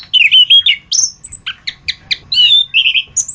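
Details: Masteran tutor song of the orange-headed thrush (anis kembang): warbled whistles open the phrase, then a high thin note, a run of five crisp chips about a quarter second apart, and closing slurred whistles.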